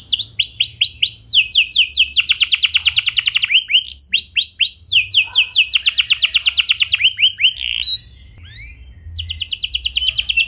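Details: Energetic canary delivering a clear rolling song intended to trigger singing in other canaries; series of curved rising whistles, long buzzy trills, a short pause, then fresh trills, with a steady faint hum.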